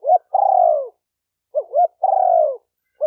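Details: Spotted dove cooing to stimulate males and females. Long, gently falling coos alternate with short, bouncy two-part notes across three phrases, with nothing else heard.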